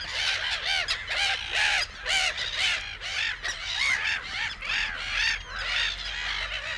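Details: Black-headed gulls calling in the reed beds of Matsalu, USSR, a field recording: many overlapping harsh, arched squawks at mid pitch, each with bright upper overtones, tumbling roughly twice a second over a faint low rumble.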